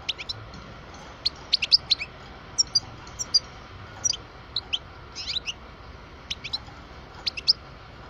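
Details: A 12-year-old parva goldfinch giving a steady series of high, sharp chirps and short twittered pairs, spaced irregularly every fraction of a second to a second, over faint background noise.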